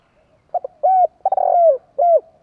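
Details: Captive spotted dove, a decoy that sets others calling, delivers a single crisp phrase: a double pip, a sustained mellow coo, a buzzy rattled note gliding down, and a final falling coo, on a quiet background.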